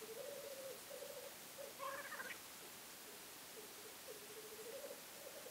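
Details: From a weekend hide, black grouse give a continuous low rolling, bubbling coo in pulsing phrases. A short harsher hissing burst breaks in near the middle, over a quiet steady background.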